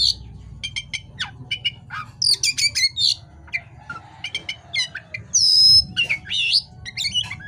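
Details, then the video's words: Energetic night-time song of an oriental magpie-robin: bursts of rapid clicks, a loud buzzy squeal, and clear rising and falling whistles repeated in quick succession, with faint low background rumble. "suara KACER GACOR di malam hari"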